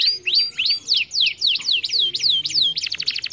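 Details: Canary singing, meant to encourage lazy canaries to sing: high, clear down-slurred whistles repeated about three times a second, ending in a fast rattling trill.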